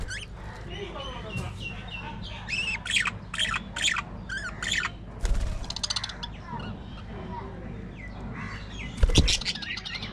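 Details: Budgerigars in an aviary colony: a busy run of harsh squawks and bright chirping calls from several birds, overlapping in quick bursts with short pauses, over a steady low hum.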